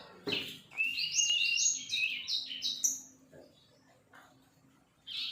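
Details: Juvenile sirpu bird practising its song, a quick rambling series of high slurred whistles and chirps over about three seconds, then quieter scattered notes and a final chirp.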